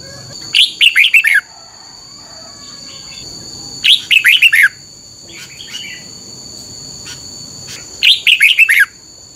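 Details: Red-whiskered bulbul singing for caged-bird training: three matching phrases of five or six rapid, bubbly descending whistles, repeated roughly every three and a half seconds, with soft chirps between and a continuous high hum.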